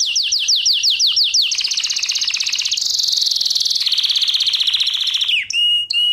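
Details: Canary lesson song for training: a series of descending whistled swoops, then long fast buzzy trills shifting pitch, ending in a clear sustained whistle.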